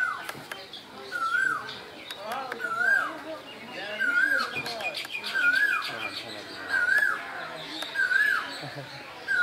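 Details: Asian koel in spring, Bangladesh: clear whistled wavy notes rising and falling, about six repeated every one and a half seconds, with high chattering of other birds behind.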